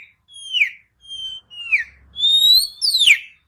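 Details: Kacer, the Oriental magpie-robin, in lure song meant to get stalled birds singing day and night. Pure, falling whistles come in a steady series, ending with a rising whistle and a steep downward sweep.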